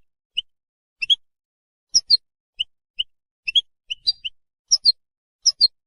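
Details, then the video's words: European goldfinch, which uses its voice to claim territory and attract females: a steady string of brief, high, squeaky chirps, often paired, about one or two per second, with nothing else audible. "How to develop a distinctive vocal personality for your goldfinch"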